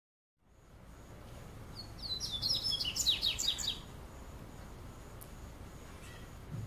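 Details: Double-collared seedeater singing in summer in São Paulo state, Brazil, through the afternoon: a quick burst of high, bright, twittering notes lasting about two seconds, with steady faint background hiss.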